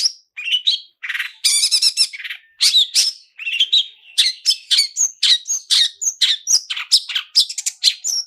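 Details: Long-tailed shrike, a cendet lure recording with "toet toet" and varied "isian" phrases: a dense, fast run of sharp chirps, buzzy chatter and bright whistled notes, nearly continuous throughout.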